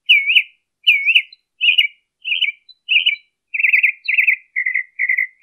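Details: Northern mockingbird in Colton, California, 23 March 2015, changing phrases: looping whistled notes given twice, then sharper chirps repeated, then fast wavering trills and short buzzy notes, each type sung two or three times before switching.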